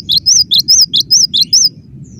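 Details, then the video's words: Cinereous tit delivering a fast, close-set run of about seven clear two-note whistles, each phrase rising then dropping sharply, ending abruptly, over a soft low rumble. "Suara rapat +GACOR banget, gelatik batu gacor"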